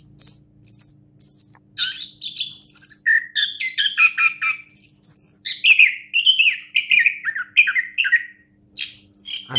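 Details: Orange-headed thrush, a prized contest-champion bird, singing a long varied song of rich whistled and chattering phrases, many mimic-like notes shifting rapidly between high and mid pitch, with a faint steady low hum behind.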